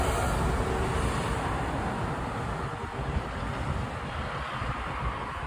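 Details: Wind buffets the microphone over a constant background roar, with no animal calls.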